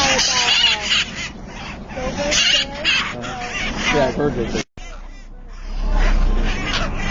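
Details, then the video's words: Hill parrot colony in a breeding setup calls continuously. Many birds overlap in harsh chattering squawks and bent, wavering notes. The sound cuts out briefly near the end, then a low rumble joins the returning chatter. "Hill Parrots Colony Talk"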